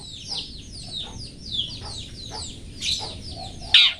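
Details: Long-tailed shrike in 'toet toet' song, a master for cage-bird training: steady chain of quick falling chirps and twitters, ending in one sudden loud harsh note.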